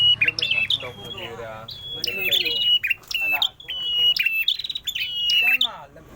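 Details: Prenjak merah prinia in full, lively song: loud, sharp metallic chirps and short whistled phrases repeated rapidly, about two per second, with brief gaps between bursts and no other clear sounds.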